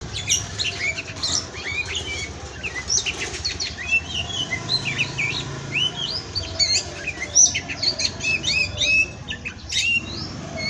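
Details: Oriental magpie-robin (kacer) from a captive breeding aviary, a tutoring recording in the 'pastol' style: dense, continuous stream of varied high whistles, slurred upswings and short chirps, steady low hum beneath.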